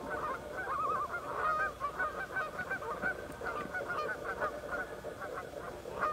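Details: Canada geese in a fight, with three more geese and two loons approaching to break it up; loud jumble of nasal honks, some wavering and quavering, overlapping in steady rapid bursts.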